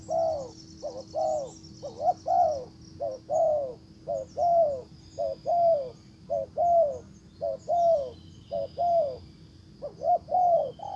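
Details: Spotted dove as decoy calling toward a wild bird: a long, fairly regular train of deep, downward-curving coos in pairs, about one per second, with faint high bird chirps and a low hum beneath.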